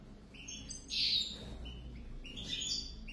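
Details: Goldfinch pair, European, giving bright tinkling twitters, with a dense, loud burst of rapid notes around the first second and another jangling flurry near the end.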